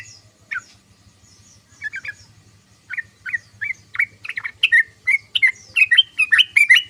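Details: Sooty-headed bulbul (trucukan) in ngoceh, ngeriwik chatter: sparse short notes at first, then a quickening burst of bright, slurred chirps crowding together toward the end, over a faint steady low hum.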